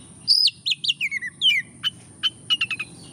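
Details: Oriental magpie-robin singing busily, a lure meant to rouse a lazy bird: loud descending whistled slurs and looping phrases, followed by a string of crisp repeated tick notes, with a steady high electronic whine throughout.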